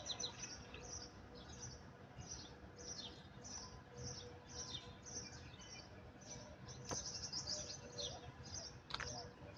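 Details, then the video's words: Birds chirping steadily: high, thin chirps repeated roughly every second, with a brief flurry of faster twitters midway, over a faint, steady background hiss and a couple of sharp clicks. "Birds Chirping زقزقةُ ألعصافيرِ"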